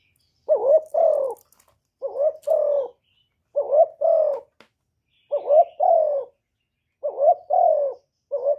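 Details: Repeated cooing from a decoy spotted dove kept in Cà Mau, Vietnam, to lure wild birds: paired hollow notes, a short wavering one then a longer falling one, repeated about every one and a half seconds, six phrases.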